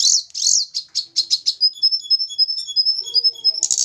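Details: Snowy-browed flycatcher, Javan bird being paired: a burst of rapid high chips, then a long steady string of thin, evenly spaced whistled notes.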